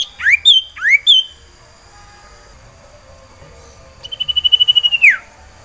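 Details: Breeding-condition common iora, called sirtu, caged and seeking a female: two loud rising whistles sweeping up then levelling, a pause, then a fast pulsed trill on one pitch ending in a sharp falling slur.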